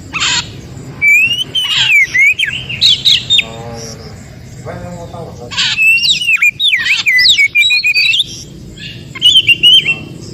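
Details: Oriental magpie-robin from the forest, with song used to prompt other magpie-robins to sing. Bursts of rapid, varied whistles and chattering notes are separated by brief pauses with quieter buzzy sounds.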